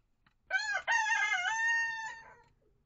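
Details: Chicken crowing inside a backyard coop and run with a mixed flock of mature hens and young birds hatched August 2023: a loud, harmonic cock-a-doodle-doo, a short rising note, a brief break, then a long held, slightly wavering tone that fades out.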